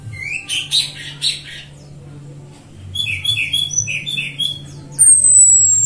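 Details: Female orange-headed thrush whistle used as a lure for other birds: short clipped whistled notes in two bursts, then a thin, very high, drawn-out whistle falling slightly at the end, over a steady low hum.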